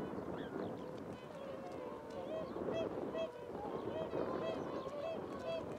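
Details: A flock of cackling geese in flight gives short, high, yelping honks, several overlapping each second, over a steady rush of wind or water noise.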